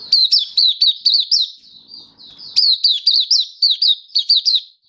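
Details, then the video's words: Oriental white-eye (mata puteh) singing, a hobby bird recorded 24 February 2023: rapid high chirps that slur downward, strung in bursts of about five notes, a short pause, then another quick run. "Mata Puteh Happy Buka Sing"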